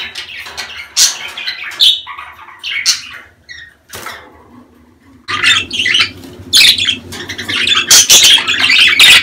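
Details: Breeding-season budgerigar chatter used to encourage mating; scratchy squawks and chirps, a brief quiet patch near the middle, then a louder, busier stretch of overlapping calls above a steady low hum.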